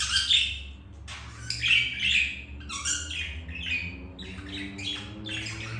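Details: Budgies mating, the male earlier spurned by a white-grey bird: bright chirps, buzzy warbled phrases and squawks in quick clusters, louder at the start, over a low humming background.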